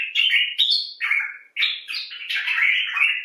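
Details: Common bulbul talking expressively: a near-continuous stream of slurred, chattering notes rising and falling, with one brief pause midway, harsh and buzzy in tone.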